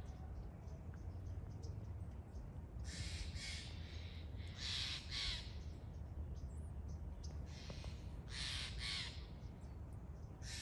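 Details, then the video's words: Steller's jay giving harsh, raspy, broadband calls in short clustered bursts, several grouped around the middle and end, over a steady low rumble of background noise. "steller's jay"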